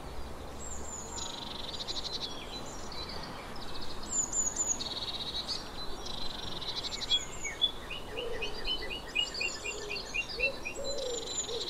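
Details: Eurasian blue tit gives repeated high-then-buzzy churr calls, followed by a quick run of evenly spaced ticking trill notes. Soft low hoots sound from another bird near the end.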